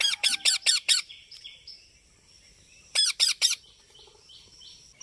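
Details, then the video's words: Indian parrot giving quick bursts of sharp shrill calls, four or five at a time, with faint whistled notes from other birds between the bursts. "PARROT| BIRDS SOUND|INDIAN PARROT|🥰 PARROT SOUND 😍"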